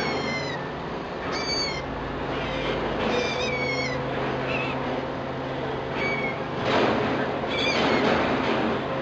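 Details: Streak-breasted scimitar babbler pair at the nest feeding young, 16 December 2009: thin, high squeaky notes in quick clusters, some rising and some falling, repeating every second or two over a steady hiss and low hum.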